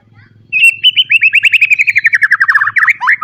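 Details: Kept white-rumped shama used as a tutor for young birds, delivering a fast rattling series of short whistled notes, about four per second, slowly falling in pitch and ending in a sharp upward flourish; faint low hum behind.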